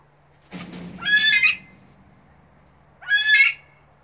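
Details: A female Himalayan monal (Lophophorus impejanus) gives two harsh, nasal squawks, each about half a second long and two seconds apart, with a low thump just before the first call.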